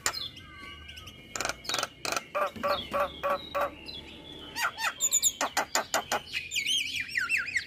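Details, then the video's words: Male Javan myna, morning tutor song full of fills: a steady series of clicking chattered pulses roughly every half second, rising into high whistled loops and twangy notes. "Masteran Jalak Pagi hari Dengan Kicauan jalak kebo Jantan full isian"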